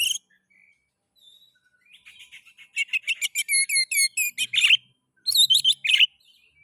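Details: Oriental magpie-robin singing, a kacer lure recording to stimulate other magpie-robins: soft quiet notes building into a fast run of ringing whistled syllables, then a loud harsh burst near the end.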